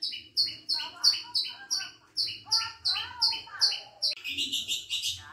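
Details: Pet long-tailed shrike kept as a cage bird, singing: a steady run of about ten sharp, high whistled notes roughly every third of a second, with lower warbled tails, then a harsh, buzzy chattering phrase at the end.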